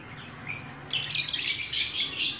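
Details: A pet African lovebird in breeding season gives a single faint chirp, then breaks into loud, high, squeaky chattering for the last second and a half.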